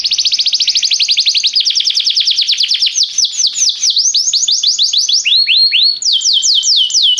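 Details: A restless canary pours out rapid buzzy trills that gradually slow into distinct downward-sweeping whistled notes, high and continuous throughout.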